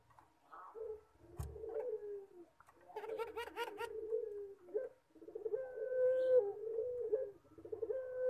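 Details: Puter pelung collared dove cooing. Soft rolling notes build into longer held coos, with a brief click and a bright buzzy burst midway, then steady drawn-out tones near the end.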